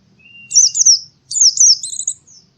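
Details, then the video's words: Oriental white-eye singing in the morning: two bright, high twittering phrases of quick slurred notes, each about half a second long, with a faint thin note before them. "suara burung pleci di pagi hari"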